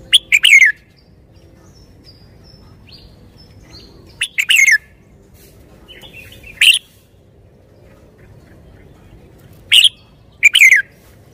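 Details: Red-whiskered bulbul repeating short whistled song phrases five times, some full with a falling final note, others single brief notes, separated by pauses of one to four seconds in a quiet setting.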